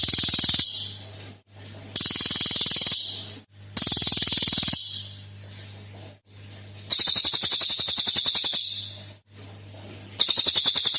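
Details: Lure recording of a cililin meant to make other birds sing. Long, harsh, high rattling trills of fast pulses alternate with short gaps and quieter stretches, the bursts repeating for several seconds.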